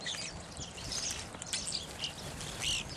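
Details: Evening grosbeaks (Coccothraustes vespertinus) calling in a busy overlapping chatter of short high chirps, with one clearer, slightly burry whistled note near the end.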